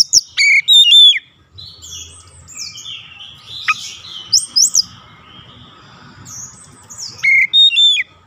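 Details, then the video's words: Kacer (oriental magpie-robin) in a daily session aimed at long, fast rolling song: a loud opening cluster of ringing whistles, a long stretch of quieter varied warbling with a few sharp high notes, then a closing burst of bright whistles. "KACER CEPAT NGEROLL PANJANG"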